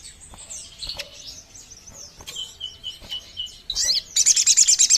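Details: Sogon bird call played for luring birds: soft high chirps repeated roughly every half second, then a sudden loud, rapid, buzzy trill of high pulsed notes at the end.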